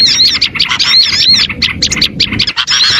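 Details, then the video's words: Short run of small-bird lure calls: quick squeaky chirps and bright whistled swoops, tightly packed and lively, with a soft low hum behind. "AUDIO SUARA PIKAT BURUNG KECIL PASTI LANGSUNG NEMPEL DAN DI SERBU"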